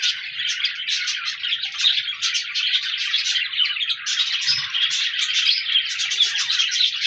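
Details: Budgerigars on 14 January 2024 give steady, tightly packed chirping and warbling, scratchy notes mixed with thin rising whistles, over a faint low murmur.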